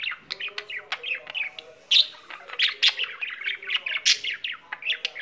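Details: A pet budgie singing on and on: dense, rapid chatter of chirps, ticks and short buzzy phrases, roughly one louder burst per second, with a few sharper squeaks standing out.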